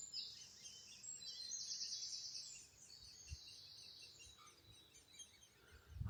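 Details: Great spotted woodpecker young calling from up in the trees around Ventnor, Isle of Wight, thought to be juveniles being fed: a sustained high, hissing, buzzy chatter for about three seconds that then fades and thins, with a low knock near the end.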